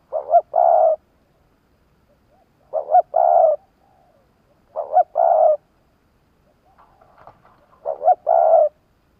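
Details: Caged spotted dove used in Vietnam as a decoy to attract wild doves, cooing loudly: four phrases about every two and a half seconds, each a quick two-part note then a long, even, low coo, in a quiet setting.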